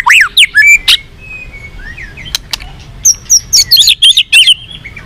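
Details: White-rumped shama singing a varied twittering song used to provoke a fighting response. Sweeping whistled notes open the sequence, followed by a burst of rapid, high, bright notes repeated quickly.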